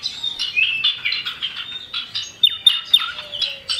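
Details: Common iora (cipoh), male and female birds, singing as a lure to bring other birds into song: busy overlapping whistles, high buzzy notes and quick downslurred chirps, with sharp rising and falling whistled phrases near the end.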